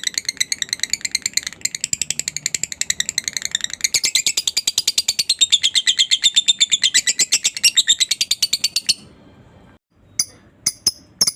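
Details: A lovebird chatters to stimulate other lovebirds: a long, rapid, rasping trill of high notes that grows louder and denser, stops abruptly, then is followed by a few sharp separate clicks after a pause.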